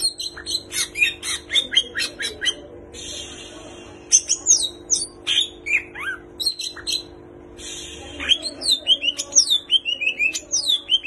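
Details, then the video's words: Greater green leafbird in full song with kapas tembak and cililin imitations: fast chattering chips, short buzzy passages, then long runs of falling whistled notes ending in rapid chirps, over a steady low hum. "Cucak Ijo Gacor Full Isian Tembakan Kapas Tembak dan Cililin"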